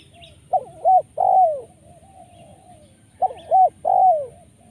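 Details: Spotted dove (tekukur) call of the 'poin penguasa makam' style, rich in rolling 'rrr' sounds, used for luring birds: a three-part coo with a short note, a rounded coo and a long falling final note, repeated after about three seconds.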